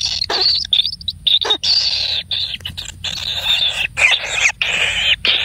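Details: A lone kingfisher chick being fed generously gives continuous rasping, hissy begging calls. These are long, harsh, high-pitched and nearly unbroken, with a few sharp clicks between them.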